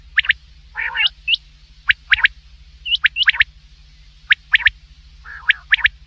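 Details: Common quail (batair) calling at night for hunting: clipped notes in rapid pairs and triplets, separated by short pauses, with two soft growly phrases and a few hooked whistles over a low hum.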